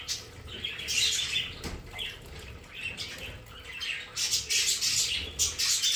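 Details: Budgerigars kept as pets in a home play area chatter with rapid, scratchy chirps and brief squeaks. The bursts grow denser and louder toward the end.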